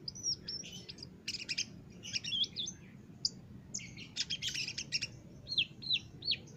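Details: Master recording of an olive-backed sunbird singing loudly for caged-bird training: high slurred whistles and buzzy twittered bursts, then a short series of three or four downslurred squeaky notes at the end.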